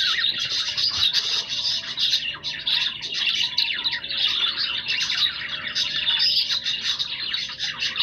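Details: Several pet budgerigars in a constant busy chorus of squeaky, buzzing, warbled notes with no breaks.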